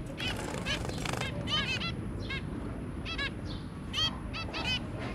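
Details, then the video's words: Two adult zebra finches and their three young, January 23, 2022: loud nasal honking calls in quick pairs and singles, with a faint rising whistle between them and a low hum underneath. "Zebra Finch"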